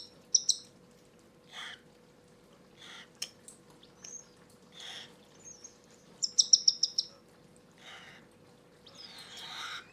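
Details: Seven cockatiel chicks at their second hand-feed of the day, in the evening, give high, wheezy begging squeaks in quick bursts and some rapid stuttering runs as part of their feeding reaction, over a faint steady hum.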